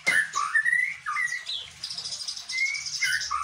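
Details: White-rumped shama song imitating a bar-winged prinia, with loud slurred whistles that rise and fall, then a high rapid trill in the middle and more upslurred whistles at the end.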